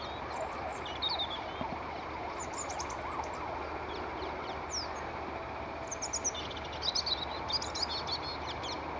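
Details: A great grey shrike at Stone Lees, 20 October 2015, that had been calling persistently, gives short, high, scratchy chirps in scattered bursts, busiest near the end, over a wailing siren in the background.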